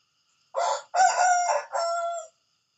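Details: Morning crow of a rooster, loud and close: three rasping segments in quick succession, the middle one longest and the last a sustained, slightly falling note, with silence around it.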